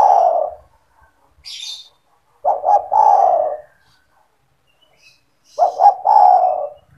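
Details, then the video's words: Owned spotted dove calling keenly, its voice played to draw in other doves: three deep coo phrases of two staccato notes and a sustained purr-like coo, with a short high squeak from another bird between. "SEMUA TEKUKUR / DERKUKU AKAN TERPIKAT DENGAN SUARA TEKUKUR GACOR INI"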